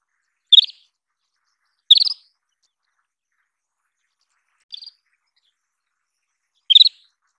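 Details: An Isabelline Wheatear (Oenanthe isabellina) gives four short, sharp, high chirps spaced irregularly one to three seconds apart, against a quiet background.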